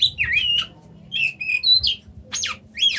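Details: Loud whistled phrases from an Oriental magpie-robin, with quick slurred notes rising and falling in short bursts separated by brief pauses, plus a couple of harsh sweeping notes near the end; faint low rumble beneath.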